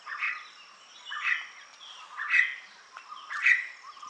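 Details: Red spurfowl (Galloperdix spadicea) gives its typical harsh karr notes, raspy and about once a second, four in a row, over a steady high insect whine.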